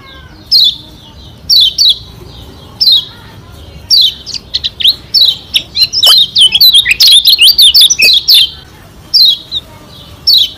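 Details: Lombok white-eye, a caged bird kept as a master tutor and used to provoke rival birds, sings bright high whistled phrases, short descending notes first spaced about a second apart, then a dense rapid chattering burst in the middle before spacing out again.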